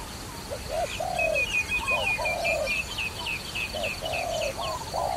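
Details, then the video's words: Dove used for trapping coos in short and long low notes while a busy chorus of sharp high chirping birds dominates the upper sounds. "Trapping Dove"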